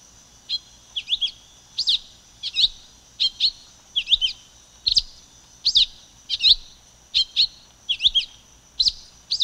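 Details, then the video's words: High, clipped chirps of a silver-beaked tanager repeated in an uneven series, some notes doubled, roughly one or two per second, over quiet background hiss. "Canto da Pipira Vermelha Ramphocelus Carbo"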